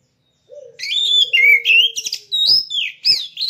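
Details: A caged contest oriental magpie-robin delivers loud, varied whistled phrases with rising and falling slurs and crisp clicking notes over a faint low steady tone.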